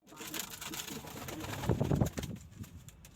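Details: Domestic pigeons of local, Indian, Chinese and homing breeds give a deep, throaty cooing burst at mid-clip, rolling and low, over steady clicks, rustling and faint room noise.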